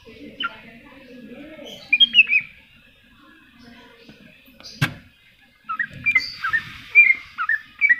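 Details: Greater green leafbird in a tutor recording: bright whistled notes and quick slurred phrases near the upper-middle range, in bursts around two seconds and again from six seconds, over low murmuring voices and a sharp click.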